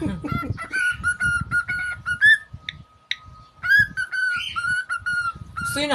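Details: Young pet cockatiel whistling indoors in repeated clear tonal phrases with harmonics, some notes warbled or rising, a few sharp chirps mid-way, with low thumps and faint voice-like sounds underneath and a steady hum.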